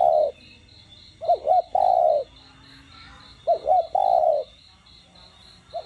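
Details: Spotted dove phrases in the 'đồng gù' plus 'thúc' voice for exciting captive doves: a trailing coo, then two full phrases of twin looping notes and a long smooth coo, with a faint repeated insect chirp in the background.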